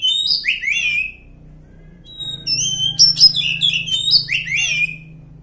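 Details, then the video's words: Oriental magpie-robin in the wild forest singing bright whistled phrases with fast slurred notes over a steady low background hum. "suara asli kacer hutan"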